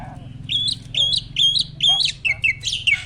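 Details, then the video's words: Breeding-ready adult male Asian pied starling singing in pumping display: a rhythmic series of squeaky two-part whistled phrases about every half second, bright and high, over a faint low hum. "BURUNG JALAK GACOR MOMPA-MOMPA!!! JANTAN TULEN."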